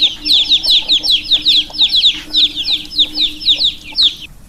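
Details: Chicks giving a lively run of shrill, falling peeps, many per second from more than one bird, briefly dipping around the middle before resuming and stopping just before the end; faint low hum throughout.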